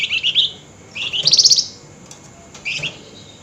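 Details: Excited flameback at night in nyerecet style: a quick series of short buzzy chatters rising into a louder, fast rattle, followed by a brief chip and a final short rattle.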